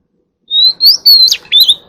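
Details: White-rumped shama singing in forest-style voice to call the flock: a brief run of clear, high whistled notes, a long steady tone rising into slurred phrases, with short silent gaps between them.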